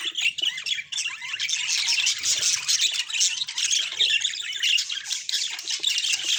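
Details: Natural recording of budgerigars keeping up a busy, high-pitched chatter, with overlapping warbles, short squawks and bright chirps throughout and no pauses.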